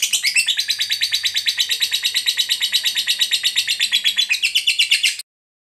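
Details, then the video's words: Rapid, shrill, rattling ngekek of a lovebird, used to stir a silent bird to respond, pouring out nonstop for about five seconds before cutting off abruptly into silence. "Lovebird Bisu Malas Bunyi Bakalan Segera RESPON Terpancing EMOSI NGEKEK"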